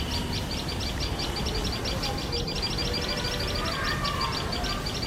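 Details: A pair of Tailorbirds guarding their nest give shrill, rapid alarm notes as a male cat sits very close to it. The notes come about five per second, high-pitched and steady, over a low background rumble.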